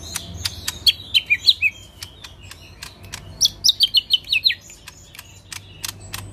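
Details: Rough 'tembakan kasar' song from a caged lesser green leafbird: a descending string of five chattering notes, a pause, then a longer rapid series of about seven high stuttered notes, with frequent sharp clicks.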